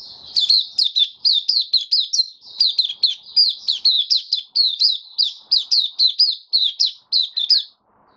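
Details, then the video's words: Kept white-eye after completing deworming and health supplements, 18 May 2022, singing a fast continuous run of high, sharp chirping notes, each slurred downward, repeated several times a second with barely a pause. "Mata Puteh Kitaro buka sing"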